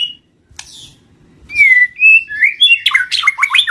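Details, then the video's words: White-rumped shama song for luring wild birds: after a short pause, clear sliding whistles rise and fall, then quicken into a run of rapid looping notes. "Suara pikat murai batu"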